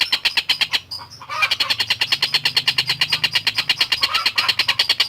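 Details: A masteran tutor track of a tengkek buto (long-tailed shrike) singing hard: dense, grating chatter repeated about three times a second, briefly interrupted near the first second before resuming just as fast and harsh.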